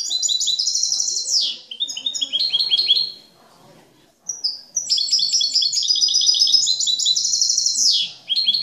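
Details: Exemplary captive European goldfinch singing clean, flawless song: long bursts of rapid high twittering and tinkling notes, each phrase ending in a buzzy downward sweep, separated by a short pause.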